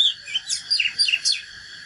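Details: Natural Oriental magpie-robin in its fighting song: a quick series of about six bright whistled slurs and sharp downward strokes, with a steady high-pitched hum behind.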